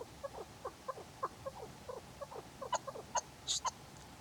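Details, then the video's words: A chukar partridge kept for hunting gives a quickening run of low, clucking chuck notes, several per second, ending with a few sharp clicks. "شکاری چکور خوبصورت آواز"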